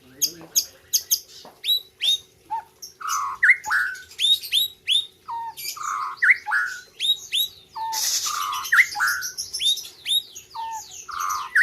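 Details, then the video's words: Melodious song of a white-rumped shama from Gayo, Aceh, at a 2021 competition: a stream of short, varied downslurred whistles and sharp high chips, one loud harsh burst midway. "ALUNAN MERDU MURAI BATU POLEM"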